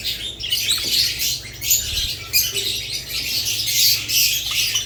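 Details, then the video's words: Overlapping budgerigar and lovebird voices: rapid, high, twittering chirps with occasional clearer whistled notes, pulsing in loudness every second or so. "Budgerigars lovebirds Chirping Sounds"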